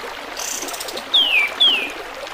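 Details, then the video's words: Kapas tembak bulbul song used as training audio for other birds, set against trickling water: two clear, sharp whistled notes, each sliding downward, about half a second apart, over a steady babbling stream. "SUARA BURUNG MASTERAN KAPAS TEMBAK DENGAN GEMERICIK AIR"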